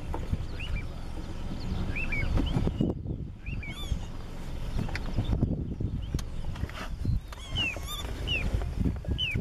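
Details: An anxious Little Ringed Plover in June 2013 at Sadków gives short, clear, down-slurred whistles every second or so, over a heavy low rumble of wind or distant traffic.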